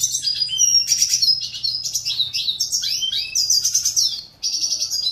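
A red siskin sings a fast, rambling twitter of high chirps, slurred whistles and short buzzy trills, delivered almost without pause, over a faint low hum.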